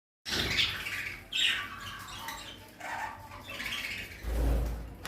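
Budgerigars chatter in a rapid, scratchy warble of chirps and squeaks.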